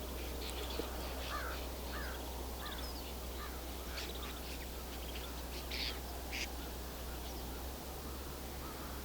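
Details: Another flock of about 100 snow buntings joining a larger wintering flock in Haldimand County, Ontario: busy overlapping high chirps and short rattly notes, several lower buzzy calls, over a low steady rumble.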